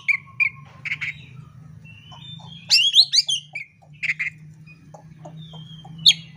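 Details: Oriental magpie-robin fighting song. Short chirps lead into a loud rapid burst of twisting, rising whistles. Clipped notes and a sharp final whistle follow, over a continuous low background hum.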